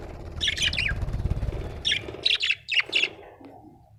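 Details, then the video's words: Cheerful budgie chirping in short clusters of sharp, slightly buzzy notes, two to three quick chirps per cluster, over a low rumbling background. "Happy budgie chirping sound"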